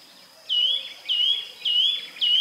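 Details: A Eurasian nuthatch (Sitta europaea) gives its repeated dwip call: four clear, piping notes, each a short upslurred whistle, spaced about half a second apart over faint background hiss.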